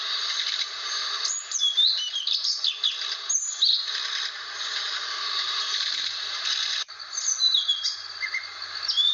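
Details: Protected blue flycatcher from Aceh, rare in the wild, sings lively sweeping whistles and quick slurred phrases in two bursts separated by a short pause, with background hiss.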